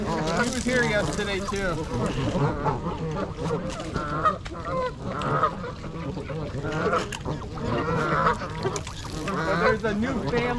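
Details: Flock of 42 wild trumpeter swans, 26 adults and 16 juveniles, at Gallup Park, Ann Arbor, Michigan, on January 8, 2022 in winter, recorded with a GoPro; overlapping nasal, bugling honks from many birds, rising and falling, with steady low background rumble.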